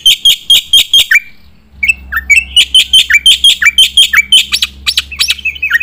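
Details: Song of a black-winged myna for training contest birds: a quick run of sharp chirps, a brief gap, then a long, steady series of bright repeated notes mixed with falling whistles.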